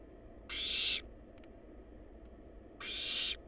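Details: Barn owl nestlings, wild, in a monitored nest box, produce two drawn-out hoarse hissing screeches about two seconds apart, with faint clicks between and a low constant hum beneath.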